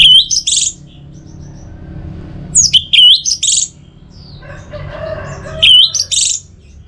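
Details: Orange-headed thrush song played as a lure to make birds sing: three short bursts about three seconds apart, each a quick mix of sliding whistles and high squeaky notes, separated by quiet low hum.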